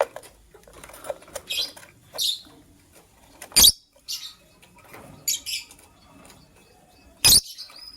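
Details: Morning chirping from lovebirds: scattered shrill, high chirps and a few sharp clicks, separated by quiet pauses of a second or more.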